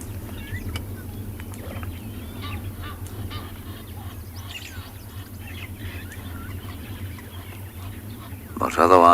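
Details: On a fresh, sunny Wednesday morning, 12 August 2020, at a South African game reserve, Egyptian geese near a resting hippo shout at each other in harsh background honks, with a louder raucous burst at the end, over a low rumble and a man speaking.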